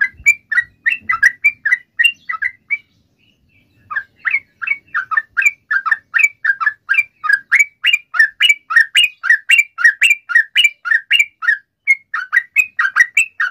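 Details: Sooty-headed bulbul; song; prompting other sooty-headed bulbuls to sing in reply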